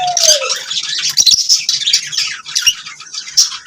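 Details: Lovebirds chirping: busy, high, raspy twitter with squeaky whistles. A brief lower, falling tone opens the clip, then comes continuous chatter with a few sharp clicks.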